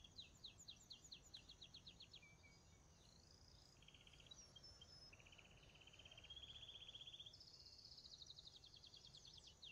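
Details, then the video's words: Young Belgian canary chicks starting to sing: thin, high buzzy trills of rapidly repeated notes, some short and others sustained for a second or more, separated by pauses, over a steady low background hum. "FILHOTES DE CANÁRIO BELGA COMEÇAM A CANTAR QUANDO?"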